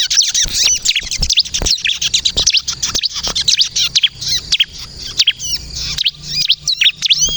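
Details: Bar-winged prinia (ciblek kristal) in busy song for luring and drawing replies from other birds; rapid high chirps and sharp whistled slurs in bursts, with a faint low hum in the background.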